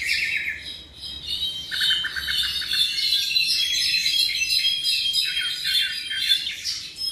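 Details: Young tropical mockingbird, roughly seven months old, delivering a continuous run of fast, varied chirps and trilled notes with barely any break.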